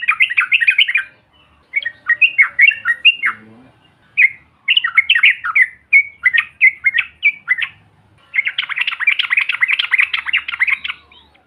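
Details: Yellow-vented bulbul calls used as a lure to provoke other birds: bursts of rapid bubbly chattering notes, rising and falling, in four runs separated by short pauses, ending in a dense fast chatter.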